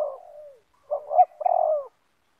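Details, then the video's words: Spotted dove, banggo type, in a yard meeting a rival: a falling drawn-out coo, a pause, then a hoarse double coo and a long rasping note. "Spotted Dove - Banggo VS Banggo bertemu di laman"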